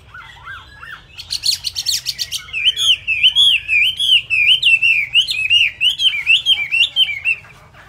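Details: Chinese hwamei with still-damp plumage, singing at high beak speed: a few lower whistled slurs, a dense burst of buzzy notes, then a long fast string of sharp, looping whistled phrases repeated in quick succession.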